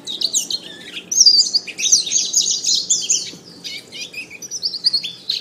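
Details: Canary in full song for training other songbirds: quieter twitters open, then a dense run of fast high trills and warbled rolls, ending in short repeated chirping bursts.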